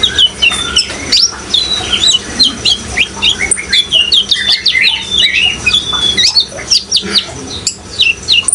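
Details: Brown-throated sunbird in full prolific song beside running water, delivering a dense, nonstop stream of high chirps, trills and short up-and-down whistled phrases, several voices overlapping, with water hissing underneath.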